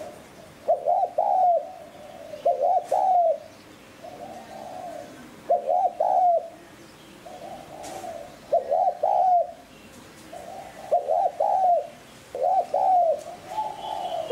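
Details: Spotted dove coo in 'hạp bổi' voice, used to make decoy doves call: about six loud phrases of a double coo and a slurred croo, with softer, fainter coos between them, as if from a second dove.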